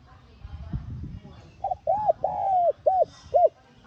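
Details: Spotted dove cooing to stimulate a decoy bird to sing: after a low rumble of background noise, one phrase of a short note, a rising arched coo, a long drawn coo and two short arched coos, mid-pitched and hollow.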